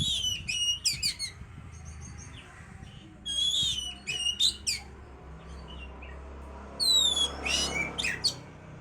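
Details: Oriental magpie-robin song played to bring a bird into breeding condition: separated phrases of sharp descending whistles and quick chirp series, repeated every few seconds over a steady low hum.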